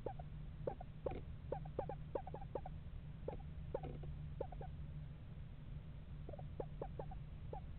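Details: Eastern screech owl pair house shopping in November at a backyard owl house; fairly faint series of short mid-pitched notes, clustered and irregular, with a steady low hum underneath.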